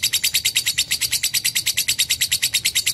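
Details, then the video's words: Clear, extended lovebird song. Harsh, high chirps follow one another quickly and evenly, about eight each second, in an unbroken chattering run. "AUDIO BURUNG LOVE BIRD JERNIH DAN PANJANG"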